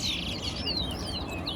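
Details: Towa towa, or large-billed seed finch, singing in a competition at Guyana National Stadium: a few long, clear descending whistles with softer twitters between, against background crowd noise.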